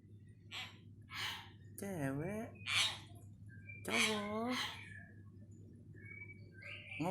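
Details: Hill myna indoors, learning vocabulary and mimicking words. A run of harsh, voice-like syllables, some with stacked tonal bands that bend downward, comes in bursts with short gaps. A low steady hum sits underneath.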